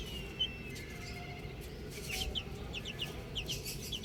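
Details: Baby chicks outside: a lone high peep early on, then a quickening series of short, descending chirps repeated roughly every quarter second, over faint low rumble.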